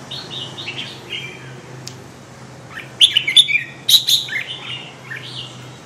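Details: Red-whiskered bulbul, described as a powerful 'crazy dinosaur' bird, giving lilting whistled phrases that build into a loud cluster of sharp, bright notes in the middle, with a faint low electrical hum behind.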